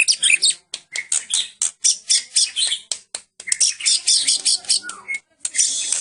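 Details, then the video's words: White-rumped shama of the Medan type, long-tailed, singing in full cililin style: dense bursts of harsh, scratchy, high notes in rapid chattering series, broken by brief pauses, with one short clear whistle near the end. "kicau murai batu medan full cililin"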